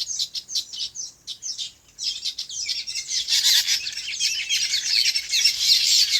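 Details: Birds chirping in their natural farm habitat: sparse, separate high tweets at first, then a swelling, dense chorus of rapid twittering that grows louder over the last few seconds.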